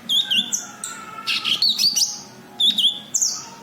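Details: Cucak kinoi (white-eye) calling, used as a lure for other birds: sharp high whistled notes and quick chirps with twisting slurs, in bursts separated by brief pauses.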